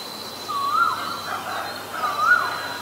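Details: Asian koel, from a recording presenting male and female birds: two rising, whistled notes, each swooping upward, about 1.5 seconds apart, over a steady high-pitched background drone.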